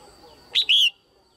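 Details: Female Red-whiskered bulbul kept as a cage bird, calling to stimulate males or for pairing: one loud, clear two-note call, a short bright chip then a longer slurred whistle that falls slightly. Quiet background.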